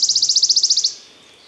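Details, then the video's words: Wood warbler (Phylloscopus sibilatrix) in Czech forest in spring gives a fast, high, shivering trill of about a dozen even notes in under a second, then stops abruptly. "Bird sounds – Wood warbler"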